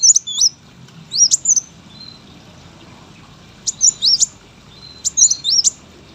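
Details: Sunbird kept as a competition bird, singing short separated phrases of sharp, high zigzag whistles, each lasting under a second, over a faint low background hum.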